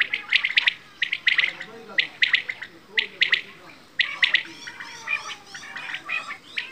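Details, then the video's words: Quail, locally bedana or batair, uttering short sharp chirps in regular small clusters roughly once a second, followed by softer, blurred chattering notes in the later part. "Quail | Bedana | batair ki awaaz"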